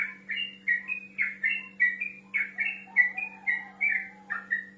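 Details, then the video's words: Male yellow-vented bulbul in full song, calling a rival and used as a lure for young birds to reply; bubbly, gurgling whistled phrases, each note rising or falling, about one per second, over a low steady hum. "TRUCUK GACOR NGEROL MEMANGGIL LAWAN"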